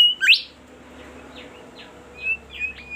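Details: Bimoli bird in lively, melodious song: a sharp rising sweep followed by short falling chirps and a few brief high whistled notes over a low background hum.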